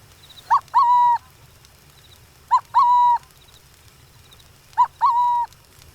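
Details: Burrowing owl of open grasslands, recorded in the wild, gives a soft, dove-like two-note coo, a brief lead note then a longer steady one, repeated about every two seconds.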